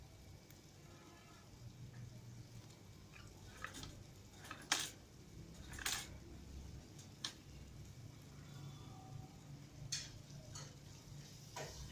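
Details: Sharp clinks and clatters, like dishes or cutlery, sound irregularly over a low indoor hum, with no clear animal voice.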